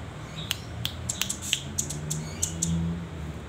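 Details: Young velvet-fronted nuthatch, a hand-reared nestling just learning to perch and practising its song: sharp, high, clipped notes given singly and in short bursts, irregularly spaced, over a low indoor hum.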